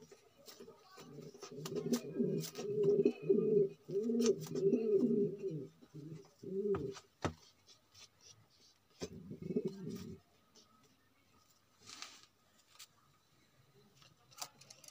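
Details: Domestic pigeon of the magpie breed, a male, coos in a small room: a long run of low, burbling rolled coos for about five seconds, a pause, then a shorter coo burst, with scattered clicks and faint tapping around.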